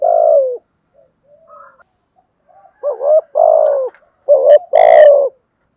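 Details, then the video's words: A spotted dove delivers a long falling coo, then after a quiet gap two paired coos, short note then drawn-out descending note, in the thúc with gù manner; a sharp click sounds during the last coo. "chim cu gáy bài bản thúc với gù"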